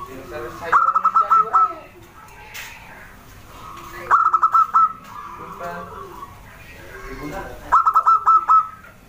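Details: Zebra dove, a small wild local bird, in song: three bursts of quick stuttering coos spaced about three and a half seconds apart, with softer, lower cooing in between.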